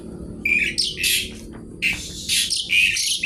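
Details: Javan pied starling singing energetically: loud harsh, broad-band screeching bursts alternating with short clear rising whistles, delivered in two dense clusters separated by a brief pause.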